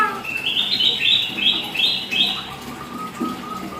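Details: Hill myna imitating a child's voice: a run of rapid, high, chattering syllables repeated several times, followed by faint lower notes.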